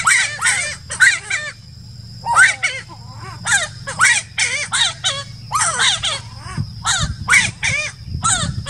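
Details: Giant wood-rail (Aramides ypecaha) singing at Laguna del Diario, Uruguay, December 2018: loud, raucous, crow-like notes in rapid harsh bursts, several per second, in clusters with short pauses, over a low steady hum.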